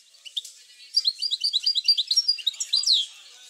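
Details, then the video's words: Song of a European goldfinch played to encourage other goldfinches to sing: a brief soft chip, then a quick, tinkling, rolling twitter of high slurred notes lasting about two seconds, closing with a falling note. "اروع بتبتة لتحفيز الحسون على التغريد"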